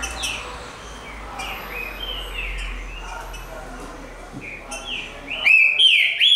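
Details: Green-winged saltator (trinca-ferro) song: faint, slurred whistled notes over background noise, then loud, clear whistles that rise and fall in the final second.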